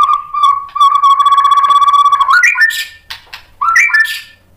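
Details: A white-rumped shama, provoked by a rival, opens with a long steady pure whistle held for over two seconds. It then jumps to higher looping notes and sharp clicks, followed by a brief rising twist.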